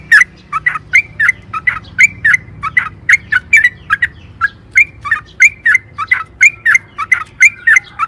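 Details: Lively yellow-vented bulbul song, a lure to make caged birds sing: a continuous series of around twenty-five short bubbly chirps, roughly three per second, over a faint low hum.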